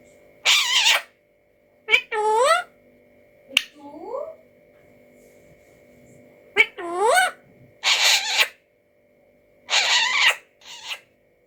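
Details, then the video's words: Talking Alexandrine parakeet producing clipped, speech-like syllables with swooping pitch, interspersed with rough hissing bursts and sharp clicks, in a quiet indoor setting with silent gaps between utterances. "alexanderine parrot speaking"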